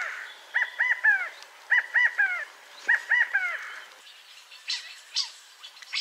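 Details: California quail giving three-note calls: three quick groups of nasal, arched notes, each group about a second apart, the last note of each slurring downward; faint higher chirps from other birds follow after the calls stop.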